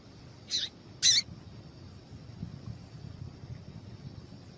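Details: A female seedeater (papa-capim) calling, a call used to stimulate males to sing: two brief, high, sharp chips about half a second apart, over a faint steady high whine and low background rumble.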